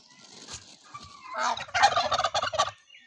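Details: Criollo turkeys in the Mixes region during their dance: a few soft calls lead into a fast, stuttering gobble of about eight pulses, loud and rattling, ending abruptly.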